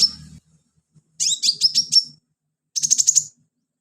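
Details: Lively sunbird singing for training other songbirds: two quick phrases of rapid, stuttering, very high chirps, each under a second, with silence between and faint low rustling at the start.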